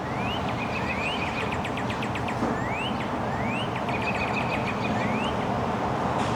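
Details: Northern Cardinal singing from a tree by an apartment in Toronto, Canada, in March during a late-winter cold snap: clear rising whistles, about once a second, over steady traffic rumble and another bird's rapid chips.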